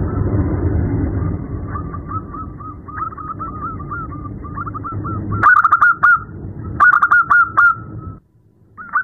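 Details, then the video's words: Night-time calls of a female zebra dove to a male: a run of quick trilled coos over steady low noise, followed by louder clustered notes and a brief silence. "Terapi perkutut malam hari | suara betina memanggil jantan"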